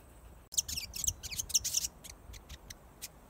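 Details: A talkative New Zealand pied fantail, or pīwakawaka, close up. A rapid burst of thin, very high squeaky chirps and ticks, followed by sparser single ticks.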